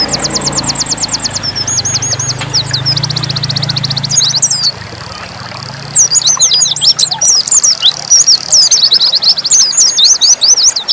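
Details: Dakun Oriental white-eye in nembak song: fast high trills and short whistled bursts, a brief lull, then a dense flurry of sharp chirps, with low rumbling engine noise early on.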